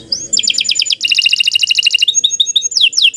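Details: Canary in long, lively training song: dense chattering trills of repeated short notes in two rising series, ending in a few sweeping whistled downslurs.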